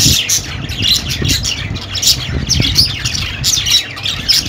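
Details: Budgerigars chattering: dense, rapid scratchy chirps and squawks overlap almost without pause, with a low rumble underneath.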